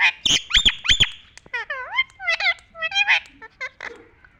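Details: Talking parrot giving a rapid run of loud squeaky, harmonic-rich calls: two sharp squawks near the start, then a string of bending, rising and falling squeaks and chatter. Recorded in a quiet setting.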